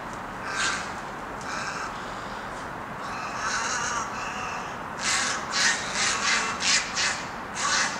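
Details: Egrets of a flock living in Himalayan cedar trees near apartments in Dongin-dong, Daegu, in 2016; hoarse, croaking squawks come in bursts, quieter at first, then a loud series of about six harsh calls, with background noise.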